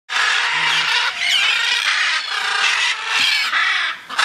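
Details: Macaws flying free, giving a continuous stream of harsh, grating squawks that overlap for about four seconds with only brief dips, suggesting several birds calling together.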